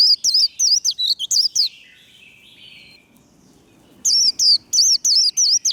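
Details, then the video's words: Kept white-eye in the energetic líu style used to stir rival birds: quick high warbling twitters, then a short trailing buzzy note and a near-silent gap, before another bright rapid burst of looping notes. "Vành khuyên líu đấu. Khuyên líu kích bổi. Kích lửa vành khuyên líu đấu"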